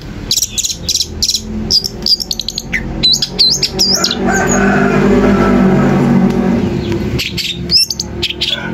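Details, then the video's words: Long-tailed shrike singing to make rival shrikes respond: bursts of high whistled, looping phrases and sharp chirps separated by a quieter gap, with low humming noise underneath. "Berikan suara cendet ini di jamin cendet lain akan emosi dan ikut nyaut"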